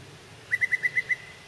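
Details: Yellow-breasted chat (Icteria virens) song in a holler in spring, several birds chasing each other, possibly territorial or mating: six short, even, mid-high notes in a quick series about eight per second, over faint hiss.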